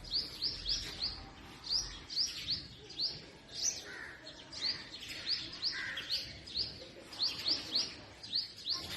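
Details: Purple sunbird in forest trees of north-west Pakistan during spring: steady stream of thin, upward-flicking chirps, often in pairs or triplets, with a few softer mid-pitched notes behind.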